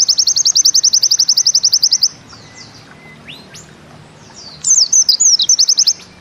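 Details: Bustomi pleci (white-eye) singing 'nembak ziperrr': a rapid, very high trill of evenly spaced sharp notes for two seconds, a long pause with faint thin notes, then sweeping whistled phrases that run back into the trill.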